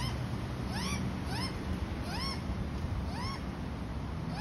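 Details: Australian magpie, an adult feeding its young: a series of short, arched, harmonic-rich calls, rising then falling, repeated about every half second over a steady low rumble.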